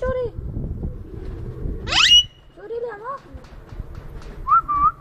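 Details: Ringneck parrot at a farm in Lahore, Pakistan, letting out one piercing rising screech after low murmuring, then short wavering whistled notes and a level whistled tone near the end.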